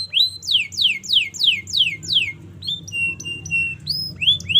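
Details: Canary singing at length as a training model: a series of descending whistled sweeps repeated rhythmically, then short flat notes and rising chirps, with a steady low hum underneath.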